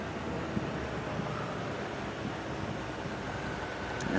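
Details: Steady wind buffeting the microphone over a low vehicle engine rumble, with no animal sounds present.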